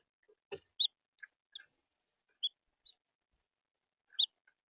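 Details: Red house finch in central Florida giving short, bright chirping notes, scattered irregularly with gaps of up to a second and a half, plus a soft click near the start; otherwise quiet.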